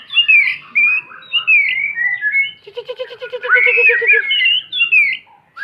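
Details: White-rumped shama lesson song for young birds: varied whistled slurs, then a low, evenly pulsed rattle beneath rising bright whistles, ending with scattered short notes.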